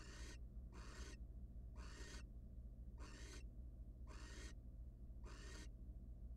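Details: Harsh, noisy hisses from a wild barn owl at a nest box where the male has brought prey to his mate; six short bursts repeat roughly once a second, with a faint steady hum beneath.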